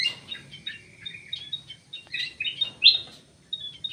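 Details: Munia (emprit sawah) twittering in a steady stream of fine high chirps and short buzzy trills, softer and spaced through the whole stretch.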